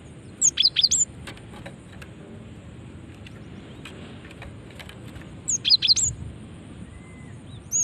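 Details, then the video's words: Female cinereous tit calling to attract other birds: two clusters of rapid, piercing high chirps about five seconds apart, with a steady faint hum and scattered soft clicks between. "Ampuh memancing bunyi gelatik batu betina ini"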